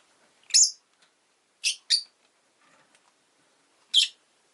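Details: Rosy-faced lovebird chirping: four sharp, piercing, buzzy bursts, a pair close together near the middle and one near the end, separated by quiet gaps with faint ticking. The recording includes background town noise such as traffic.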